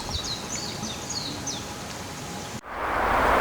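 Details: Japanese tit spring-to-early-summer song: faint, high, thin two-note phrases repeated quickly for about a second and a half, then a click and a burst of rushing noise.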